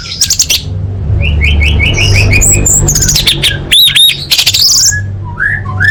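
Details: Orange-headed thrush song, a full-fill-in tutor recording for training competition birds: loud varied phrases with rapid falling whistled notes in a row, sharp high chirps and rising slurs, over a steady low hum.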